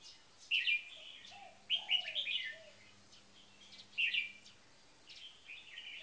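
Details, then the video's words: Red-whiskered bulbuls kept in cages, a marathon frequency singing bird beside a bird on its first caged day. Sharp warbling phrases sound about every one and a half seconds, with low gliding notes and a hum. "Marathon Frequency Singing 1st Position Bird"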